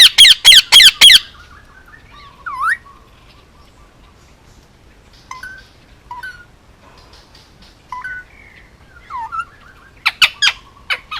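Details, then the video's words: Hand-raised male Indian ringneck, nearly two years old, on Oahu, Hawaii: four rapid harsh squawks open, followed by soft scattered whistled chirps and upward-curving notes, ending in a few sharp screeches. "Indian ringneck talking and making noises"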